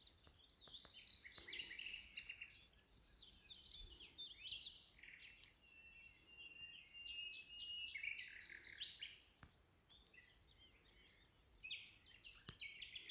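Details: Common nightingale singing wild among green meadows of Ribagorza: varied bursts of high chirps, trills and squeaky notes in phrases of one to three seconds, separated by short pauses, over a soft steady background hiss.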